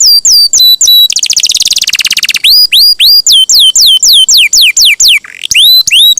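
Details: Persistently singing champion canary with a long roll, a master for teaching songbirds: hooked whistles, a dense rapid roll, then a steady series of loud rising-and-falling looped whistles about twice a second.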